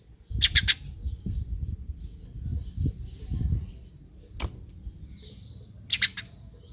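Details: Eurasian tree sparrow calls meant to get other sparrows calling. A rapid triple chirp comes first, then a single sharp note, then another triple chirp near the end. Knocking and sliding mechanical noises fill the middle.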